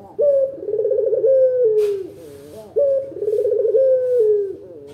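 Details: A lure recording of the local puter dove for prompting other birds to answer: two low, tremulous coos, each opening with a firm note and ending in a downward slur, with a short rasping noise between them.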